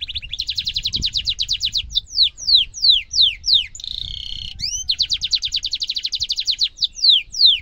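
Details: Canary rolling a long, sharp trill, offered as a tutor song for young canaries: rapid repeated chirps forming sustained trills, broken by falling whistled sweeps and a brief buzzy note, then another long trill.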